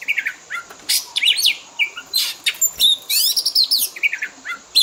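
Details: Fill-in song of an Oriental magpie-robin used to train caged birds: a busy run of whistled slurs, harsh scratchy notes and a rapid buzzy rattle, phrases following closely with short silences.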